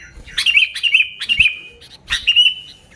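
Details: Lure song of a sooty-headed bulbul, three quick chirpy phrases that each end in a steady whistled note, followed by one more longer whistled phrase with faint clicks.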